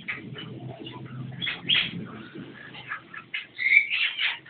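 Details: Javan myna singing lustily over a low rumbling background: a jumble of scratchy chatter, then louder rasping notes and a whistled squeal near the end.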